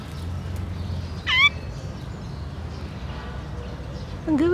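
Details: Complaining azure-winged magpie on 17 July 2017 gives a harsh, rasping, downward-sliding squeak, then a second lower, buzzy call near the end, over a low background rumble.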